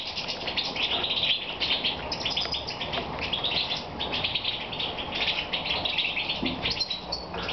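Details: European goldfinch in moult, recorded in the evening in Romania on 22 May 2014; a fast, continuous twittering of bright chirps and trills, steady throughout against a constant background hiss.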